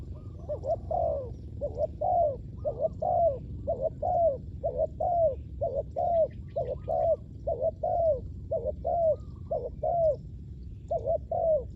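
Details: Spotted dove calling during ground-level luring of wild doves. A steady run of crisp coos, about one a second, each a short note that bends downward, continues through the whole clip with faint bird chirps behind.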